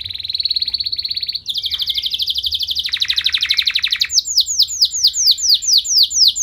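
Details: Canary singing long, richly varied phrases intended to excite other canaries into replying: rolling buzzy trills switching pitch between sections, ending in a run of repeated curved whistled notes.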